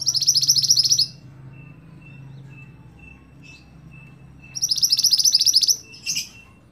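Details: Singing scarlet-backed flowerpecker, locally sicabe merah, recorded to train other songbirds. Two fast, high, ticking trill bursts are separated by a quiet stretch with a faint thin tone, and a short sharp note comes after the second burst.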